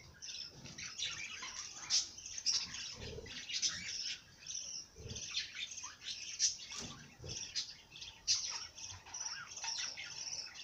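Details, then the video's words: Quiet bird song with steady high twittering and bright, piercing chirps scattered through it, plus faint low knocks in the background. "Bird sing song madár ének"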